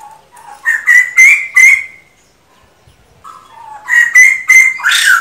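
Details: Male bồ chao laughingthrush singing loudly in two bursts: a low fluttering note rising into three or four ringing, slightly harsh whistled phrases, separated by a short pause, ending on a loud rough note.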